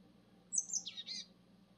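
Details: A single short Japanese tit phrase: thin, very high notes sliding downward, then a second brighter burst, against quiet low rumble.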